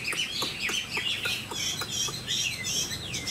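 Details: Tame Chinese hwamei in captivity, giving a quick sequence of sweeping whistled notes mixed with sharp clicking sounds, the phrases tumbling rapidly over one another.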